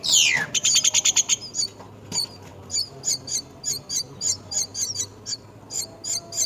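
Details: A myna at its nest caring for young opens with a sharp downward-sweeping squeal and a quick burst of notes, then gives thin, high chirps about three times a second over a faint low hum.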